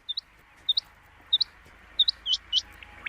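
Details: Quail call played at night during the monsoon season to lure quail for hunting: sharp high paired chirps repeated about every two-thirds of a second, six pairs in a row, over faint hiss.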